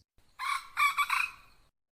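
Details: Decoy hen calling to stir up a rooster: one drawn-out, harsh, broadband cackle lasting over a second, with two or three louder swells inside it.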